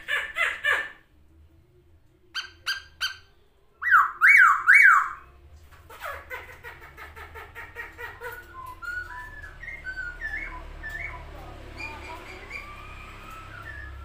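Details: Spreading its wings as it sings, a masked laughingthrush gives short clipped notes, then a loud zigzag run of rising and falling whistles, then a long softer stretch of scratchy twittering over a low hum.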